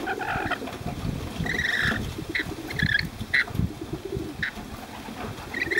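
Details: In Cromer, Sydney, free-flying Rainbow lorikeets that have been befriended give a drawn-out grating screech followed by clipped squeaks and chips, with bumping and handling noise in the background.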